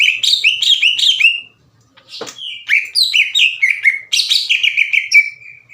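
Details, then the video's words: Greater green leafbird in aggressive full song with harsh bursts, challenging other leafbirds to fight; loud, clear voice past the chattering stage. Quick runs of bright downslurred whistled notes, a short pause, then a longer cascade of slurred phrases. "NGAMUK...!!!! CUCAK IJO GACOR NGEPLONG DAN TEMBAKAN KASAR NGAJAK IJO LAIN TARUNG."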